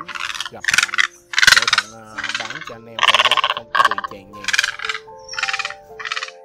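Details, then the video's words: Large and small egrets, male and female, calling the flock, played as a hunting lure: harsh, grating croaks in bursts of about half a second, repeated about eight times, over a steady background of instrumental music. "Tiếng Cò Ngàng Lớn Nhỏ Trống Mái Gọi Bầy Kêu"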